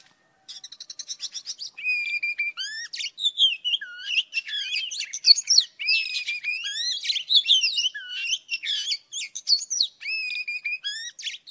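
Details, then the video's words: Old wild Oriental magpie-robin singing at morning: opens with a quick string of short ticking notes, then a long, inventive run of whistled slurs, buzzy chatters and clear rising notes. "Tiếng chòe than già rừng hót buổi sáng cực hay"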